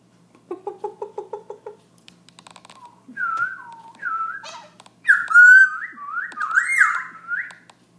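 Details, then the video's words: Black-throated laughingthrush in nonstop night song at 11 pm: a rapid string of about nine short hollow double notes, then a sequence of clear whistled phrases growing louder, ending in a rich warbled, wavering whistle. "Black throat laughing thrush night song"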